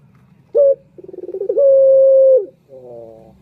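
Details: Indonesian male puter turtle dove giving a lure call for males: a short sharp opening note, a quick rattling series of pulses, and a sustained steady coo dropping away at its close, followed by a soft trailing murmur.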